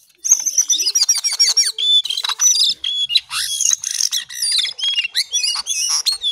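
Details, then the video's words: Cingcoang coklat, a brown shortwing, singing vigorously: a dense burst of shrill whistles and fast twittering phrases starting after a short silence and running almost continuously to the end. "Jongkangan/Cingcoang coklat paling gacor"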